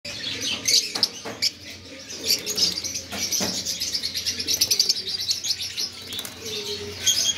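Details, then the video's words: Pet lovebirds, small colorful parrots, chattering together with many sharp high chirps and squeaky notes, dense bursts of overlapping calls with brief lulls between them. "Lovebirds Singing & Talking"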